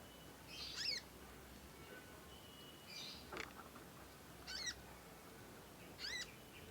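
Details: Juvenile conin learning to sing with long chirping, singing vigorously, suited for song tutoring; four separated high chirp bursts spaced over a few seconds, fairly soft over steady background hiss.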